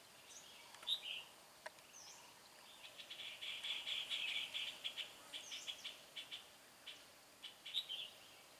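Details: Red-whiskered bulbul decoy singing to draw a wild rival into a trap, with a 'bell voice'. A fast, irregular string of bright chirps and short trills fills the stretch, with one denser warbling burst midway and faint hiss behind.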